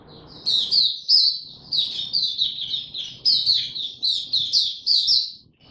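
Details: Oriental white-eye (mata puteh) in song ramping up toward form, recorded 3 January 2022: rapid run of high, sweet chirping and twittering notes strung almost continuously, with brief pauses, over faint low background hum.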